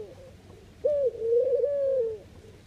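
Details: A Eurasian collared dove in the Netherlands gives one low, soft, drawn-out coo of about a second and a half, rolling slightly in pitch, against a quiet, faintly hissing background.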